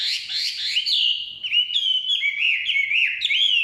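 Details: Forest Chinese hwamei pouring out a continuous loud, rich warbling song of slurred whistles, rising and falling with fast changes in pitch, with no other sounds.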